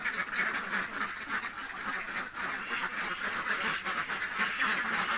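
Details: A hungry flock of village ducks keeps up a loud, unbroken wall of rasping quacks, many birds calling at once in a thick, noisy chorus.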